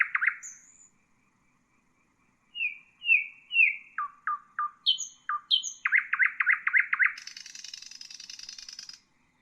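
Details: Common nightingale song meant for training bulbuls: a rich warble, a high whistle, a pause, then stepped descending notes, a fast series of repeated notes and a long dry buzzing rattle.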